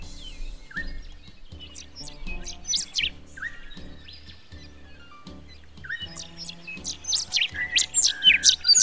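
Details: Rufous songlark (Cincloramphus mathewsi) in flight in Australian woody grassland, pouring out its rapid, high, razor-sharp squeaky notes in quickening bursts, with another songlark calling from a high perch and steady low background music.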